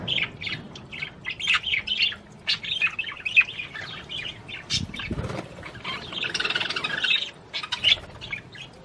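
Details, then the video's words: Budgerigar warbling to prompt mating in the female, a run of quick chirps and squeaky chatter, a brief low flutter midway, then a denser scratchy burst. "تغريد طير البادجي لتحفيز الأنثى على التزاوج"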